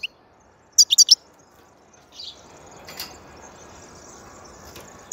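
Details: Rapid cluster of four sparkling high chirps from a European goldfinch, followed by quieter rustling and a single clipped note at the end.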